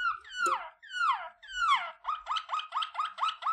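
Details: Waterslager canary song used for training: a few sweeping, slurred whistles falling in pitch, then a quick rhythmic run of about eight short, rising, liquid notes repeated several times a second, with no other sounds.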